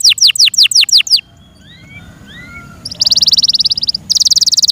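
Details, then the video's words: Domestic Yorkshire canary producing a short series of falling whistled notes, a quiet gap with faint soft slurs, then two bursts of rapid, buzzy trilling. "THE BEAUTIFUL SOUND OF FI YORKSHIRE CANARIES"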